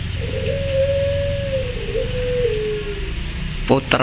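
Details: Domestic puter pelung dove of the 'blorok nggalur' colour variety, bred for competitions, giving one long, low, steady coo that slides gently downward over about three seconds, followed by sharp clicks and knocks and a low room hum.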